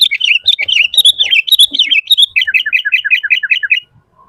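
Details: Vigorous, varied song of a Sooty-headed bulbul, used for luring and training: fast chattering warble, then a neat series of rapidly repeated bouncing two-part notes ending abruptly, followed by a faint low whistle.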